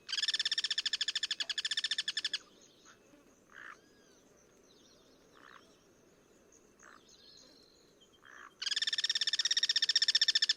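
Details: Wild Guira cuckoos exchanging songs, cross-singing: a two-second run of rapid, harsh pulsing notes, a quiet stretch with scattered short chirps, then another loud, fast rattling series begins.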